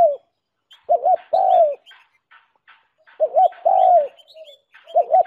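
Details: Decoy-luring call of a spotted dove. A paired short 'hoo-hoo' leads into a sustained coo that slides downward, repeated twice with a third phrase beginning. Thin, high twitters from other birds sound in the gaps.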